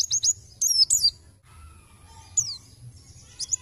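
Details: White-eye (pleci) calling to lure other birds: short clusters of high, sharply falling chirps with quiet spaces between, plus a faint low tonal hum in the background.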